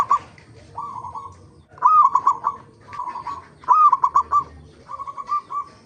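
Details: Local zebra dove song played as a lure to make other zebra doves sing: alternating soft rolling trills and louder stuttered phrases of hooked cooing notes, roughly every second, at an even mid pitch.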